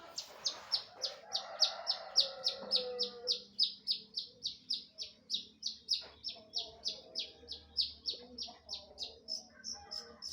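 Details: Cendet, the long-tailed shrike, in lively gacor song. A fast, even run of sharp, high chipping notes repeats about three to four times a second for ten seconds, with soft murmuring in the background early on.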